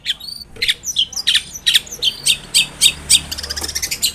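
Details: Long-tailed shrike song for prompting another shrike to answer: varied high squawks and chirps, then a quickening run of harsh chattering notes.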